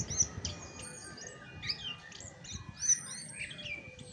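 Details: Chestnut-backed thrush (Geokichla dohertyi) singing: quick runs of sharp, high chirps and brief whistled notes in varied, uneven phrases, with a faint low hum and a steady thin tone underneath.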